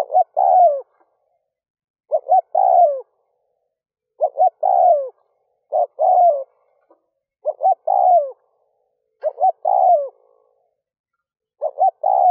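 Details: Spotted dove decoy calling at dawn to lure wild birds: a steady series of six low coo phrases about every two seconds, each two brief hoots and a longer falling note, in silence.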